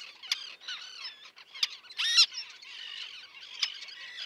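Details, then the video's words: Common terns at a small breeding colony with chicks near the mole at Liepāja, Latvia, June 2024: thin, high, wavering calls with a few sharp, louder shrieks cutting through. "UPES ZĪRIŅŠ /Sterna hirundo/. Upes zīriņu kolonija ar mazuļiem."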